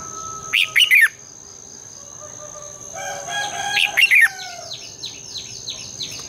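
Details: Red-whiskered bulbul in morning song for training birds to sing: two loud clipped warbling phrases about three seconds apart, each of three or four looping notes, followed by a series of soft repeated down-slurred chirps from another bird.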